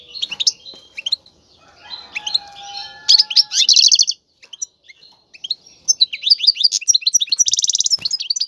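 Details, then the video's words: Caged male European goldfinch singing strongly to stimulate a female to mate and build a nest; rapid twittering of high, sharp trills and chirps, with short buzzy bursts and brief pauses. "مقنين يغرد بقوة💪, سوف يجبر انثى الحسون🐦 على التزاوج👫"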